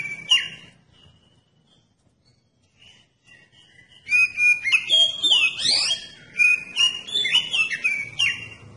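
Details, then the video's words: Oriental magpie-robin song used as a lure to provoke other magpie-robins to sing: after a few seconds of faint, scattered notes, a loud burst of varied whistles, rising and falling slurs and buzzy trills pours out almost continuously. "Kacer Anda Bisa Langsung Nyaut dan Gacor Pakai Video Kacer Pancingan ini"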